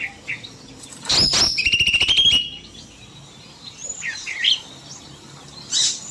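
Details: Small bulbul in an aviary during the evening, singing at length: one loud rapid chattering burst of just over a second with a sustained high tone, followed by faint scattered chirps from other birds.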